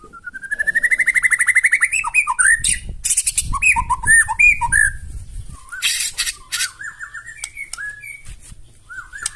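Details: Loud, aggressive song of a white-rumped shama meant to make other birds reply, opening with a rising rapid trill, then slurred whistles, harsh rasping bursts and scattered high notes.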